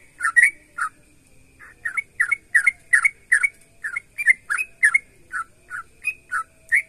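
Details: Yellow-vented bulbul singing energetically, a song used to get other bulbuls to sing in response; short, bubbly, liquid notes come in quick bursts about twice a second, separated by brief pauses, against a quiet, clean background.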